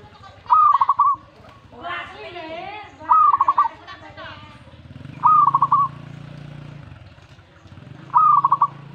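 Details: Zebra dove reacting to a master recording, giving four rolling coo phrases roughly every two and a half seconds. Each phrase is a rising note followed by rapid stuttered notes. People talk between the first phrases, with a low rumble later.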